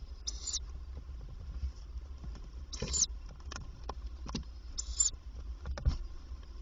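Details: Female tawny owl visiting a nest box during the day to feed her young; three brief raspy hissing bursts, roughly every two to two and a half seconds, amid scratching and tapping in the box and a low constant hum.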